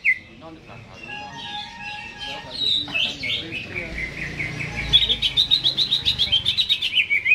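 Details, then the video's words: Caged greater green leafbird in full song ahead of being hung up, mixing warbles and whistled notes before a fast, buzzy run of rapid repeated chirps in the last few seconds. "CUCAK HIJAU GACOR...Sebelum di gantang"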